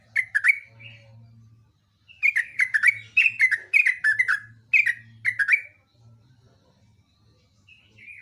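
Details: Energetic Yellow-vented bulbul song, delivered as a long rapid sequence: a short opening phrase of bubbly notes, then a sustained string of about a dozen liquid, downslurred chirps, ending with a thin whistle, with a steady low hum behind.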